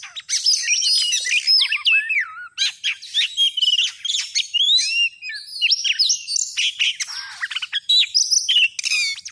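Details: Kacer, the Oriental Magpie-Robin, heard as a lure for trapping birds: a rich, continuous, varied song of clear whistles, rising and falling slurs and sharp chirps, delivered rapidly in a quiet setting.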